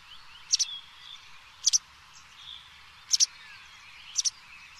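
White wagtail giving four sharp, high two-note 'chiz-zick' calls about one second apart over a faint background hiss.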